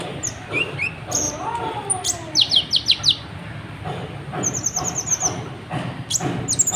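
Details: Vigorous, restless sunbird song meant to stir other birds into singing; a quick series of five sharp high chirps, then a thin, rapid trill and scattered squeaky notes, over steady low noise.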